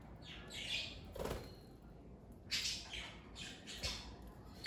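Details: Budgerigars kept as a pet parakeet family give short bursts of bright, scratchy chirps separated by pauses, with a low thump partway through.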